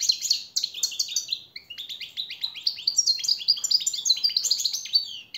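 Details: European goldfinch master training song for captive birds: a continuous stream of bright, tinkling twitters and quick downslurred chirps, tumbling without pause, with a short gap near the middle.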